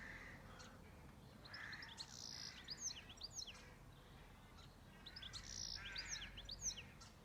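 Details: Birdsong at a farm cottage setting: scattered high chirps and short trilled phrases in two bursts separated by a pause, over a faint background hiss.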